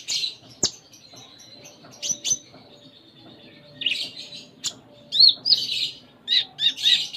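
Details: Sunda minivet (konin) giving a busy high-pitched 'gacor full isian' song: thin whistles and sharp ticks, then a run of squeaky chirped notes toward the end.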